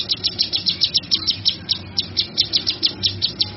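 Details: Cucak kinoi singing: a fast, steady series of short, high, sharp chirps, about four or five a second, with a faint low hum underneath.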